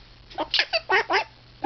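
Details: Talking pet mitred conure indoors laughing during kisses, five short chuckling voice-like syllables in quick succession, ending in a louder squawk.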